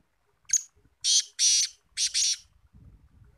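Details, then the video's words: Black francolin (kala teetar) giving a harsh, grating call phrase: one short note, then two paired groups of rasping, buzzy notes, five bursts in about two seconds, followed by faint low rustling and a person hushing. "BLACK FRANCOLIN KALA TEETAR VOICE"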